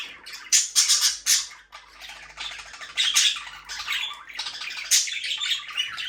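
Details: Budgerigars squawk and chirp in a lively run: three loud sharp chirps open, followed by steady scratchy warbling with further loud peaks, over a faint low hum.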